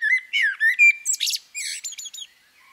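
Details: Female common blackbird giving a single phrase: several rich, fluty notes wavering in pitch, followed by a dense, scratchy high twitter that fades out.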